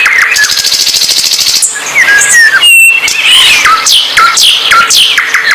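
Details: Loud songbird singing energetically, with rapid high buzzy trills, sharp rising and falling whistled notes and quick chattering phrases, over a steady low hum.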